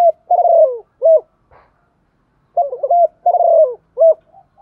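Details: Female spotted dove calling to provoke males to coo; soft, low burred coos with falling tails, a long phrase, then a short note, a quiet pause, then two more phrases and a clipped final note.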